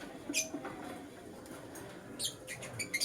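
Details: Morning chirps from a lutino lovebird: a few brief, shrill, broadband notes, with a pair near the end, against a soft humming background.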